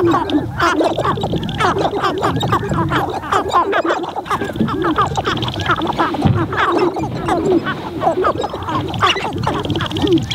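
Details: Montana sharp-tailed grouse lek in spring, heard from a blind despite wind: a loud, continuous jumble of quacking cackles and rapid clucks from many birds, with low wind rumble.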